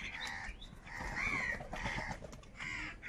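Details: Wild crows fighting over food, harsh raspy caws overlapping in a noisy scramble with steady background rumble.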